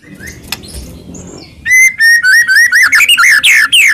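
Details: White-rumped shama song meant to trigger a quiet shama: faint background sounds, then a lively run of clear whistled notes rising and falling in quick succession.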